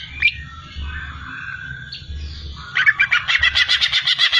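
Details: Greater green leafbird (cucak ijo) singing: a few thin whistled slides and a drawn-out whistle, then from near the three-second mark a rapid run of bright, evenly repeated chattering notes, about eight per second, over a low steady hum.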